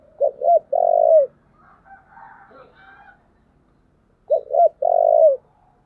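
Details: Spotted dove lure call for wild doves: two short coos and a long falling coo, then soft chattering sounds and a repeat of the same three-part phrase.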